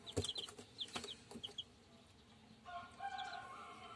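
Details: German Shamo chicks, purebred, giving high short peeps over the first second and a half along with knocking sounds, then a steady humming tone takes over with a few faint cheeps.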